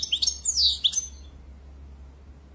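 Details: European goldfinch giving a brief burst of high twittering notes and slurred chirps lasting about one second, followed by a low hum.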